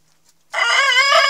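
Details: Denizli rooster crowing while mating with a hen, the crow starting abruptly after half a second of silence as a rich, steady harmonic tone that holds to the end.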